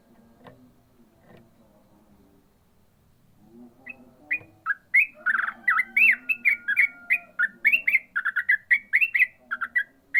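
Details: Yellow-vented bulbul in ropel song: after several seconds of low rumbling background, a dense torrent of sharp, slurred whistled notes, rising and falling, bursts in packed rapid succession through the second half.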